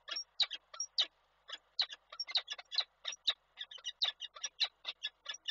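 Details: Peregrine falcons at a nest in Koszalin on 7 April 2023, the male arriving with food that the female refuses while taking a break. The calls are faint, sharp, harsh notes given in an irregular rapid series.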